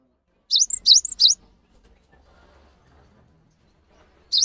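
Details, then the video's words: A 'gacor' cinereous tit used as a master recording to provoke lazy or newly caught tits into answering. Three quick, high, swooping notes, a pause of about three seconds, then a fourth phrase starts. "MASTERAN GELATIK BATU GACOR UNTUK MEMANCING BUNYI GELATIK BATU MALAS BUNYI"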